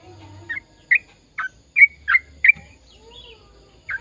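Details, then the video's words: Sooty-headed bulbul singing lively, long rapid-fire song to stimulate silent birds: separate, bright, slurred whistled notes about every half second, a short pause, then one more note, over low hum. "Suara Burung Trucukan Gacor Ropel Panjang Perangsang trucukan bisu biar aktif bunyi"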